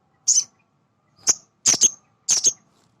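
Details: Male sunbird, a nectar-eating bird, singing in full 'gacor' form as a lure to stir untrained birds: sharp high chips, a lone note then two doubled bursts spaced about half a second apart, clean background.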